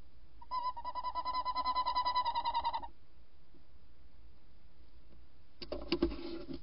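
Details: Female tawny owl on a second visit, recorded at night around 01:30 on 14 January 2019, giving a quavering, tremulous note lasting over two seconds that wavers about six times a second, followed by knocking and rustling.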